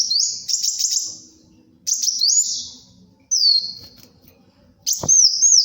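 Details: High sunbird song of the kolibri wulung kind, meant for luring and tutoring: a rapid trilled phrase, then sharp whistles bending down, in bursts about every one and a half seconds, with faint low background hum.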